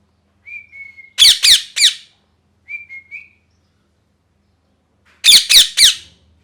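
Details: Molting pet parrot gives soft, level whistled notes, then a burst of three rasping, piercing screeches. The pattern repeats, ending with another triple of harsh shrieks.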